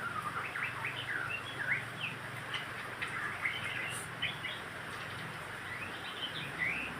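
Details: White-rumped shama song used to stimulate birds to sing, quick chirping and twittering phrases with short slurred whistles spread across the clip over a constant hiss.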